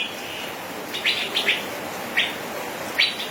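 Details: Male cucak biru, or Asian fairy-bluebird, giving gacor ropel song: a faint drawn tone, then a few bright rising chips about a second apart against constant hiss.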